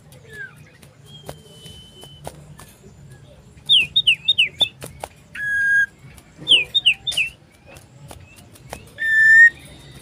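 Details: Common iora singing loudly while seeking a rival, recorded 27 December 2022: sharp down-slurred whistled notes in quick groups, each group followed by a long, steady, buzzy whistle, with soft ticks in between and a low background hum.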